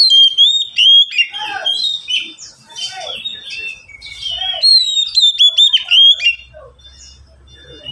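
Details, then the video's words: Oriental magpie-robin kept caged with two others that answer it, singing a continuous medley of clear whistles, rapid chirps and slurred notes, with a low hum in the background toward the end. "Kicau mania sederhana cocok untuk masteran burung Kacer yang malas bunyi"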